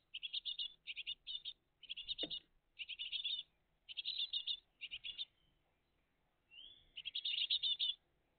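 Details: Great tit family at the nest, morning of 20 June 2023: repeated short bursts of high, buzzy chirps in a stop-start rhythm, one soft rising whistle before a final long burst, a brief knock midway.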